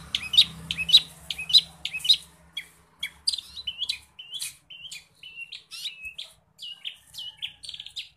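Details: Long-tailed shrike in full, energetic song packed with imitations of forest birds: sharp high chirps in quick bursts, then a run of varied short whistled and twittering notes, rising and falling, with no other clear sounds.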